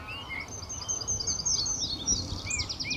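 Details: Reed bunting calling on an early March 2014 morning before sunrise in the reedbed at RSPB Fowlmere: thin, high notes and quick descending strokes, repeated several times, with other small birds chirping over a low background rumble.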